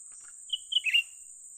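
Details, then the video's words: Cucak ranting bulbul, a young bird, heard during luring for capture: a single phrase of short clear whistles sliding into a harsher buzzy chatter, with a constant shrill insect hum behind. "memikat burung cucak ranting muda mantap"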